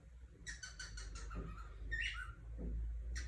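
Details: Cockatiel calling with a series of short, harmonic, chirping notes, then a brighter squeaky note and a final chirp, over a steady low background hum.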